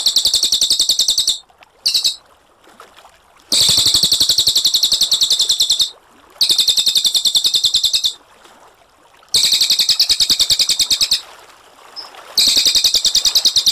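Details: Cililin, a brown cililin in full voice, sings a long clear rolling song. Dense, high, machine-gun-like trills are repeated in bursts of one to two and a half seconds, with short silences between them.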